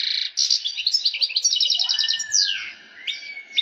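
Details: European goldfinch singing in breeding excitement meant to stimulate females: a short burst of chattering notes and quick trilled phrases, with softer slurred whistles and pauses toward the end.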